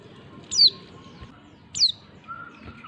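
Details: Two sharp, high, falling notes from a female white-eye, roughly 1.2 seconds apart, a call aimed at making males answer; a faint steady lower whistle follows the second note.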